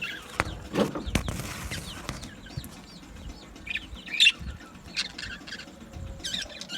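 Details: Australian budgies in a colony aviary, producing a series of short, bouncy rising-and-falling warbled chirps, several birds overlapping, with sharp wing flaps and clicks at the start.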